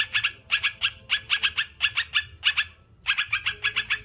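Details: Sooty-headed bulbul, used as a therapy recording for kept birds: quick bursts of two or three sharp chirps, grouped and separated by short pauses, with one longer break near the end. A low hum sits beneath.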